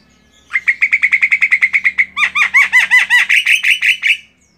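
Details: A female Javan myna, used as a tutor for songbirds, gives a rapid train of short buzzy notes that shifts into louder, curving chattering notes repeated several times a second.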